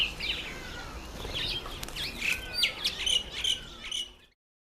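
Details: Red-faced mousebird on its first visit to a birdbath: high chirps and short whistled notes, some sliding downward, given in an irregular run with a few sharp clicks, stopping abruptly after about four seconds.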